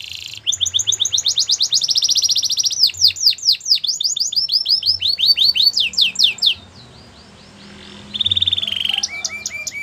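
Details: Belgian canary singing a long, varied strophe: a fast buzzy trill, a run of rapid downslurred sweeps, quick rattling notes, a brief pause, then a steady high-pitched roll and rising chips.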